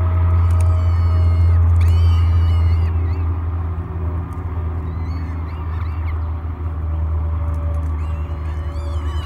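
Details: Three hungry peregrine falcon chicks at a morning feeding on the Great Spirit Bluff nest cam, 24 May 2022; harmonic wails mostly in the first three seconds, then sparse, under a strong low humming drone.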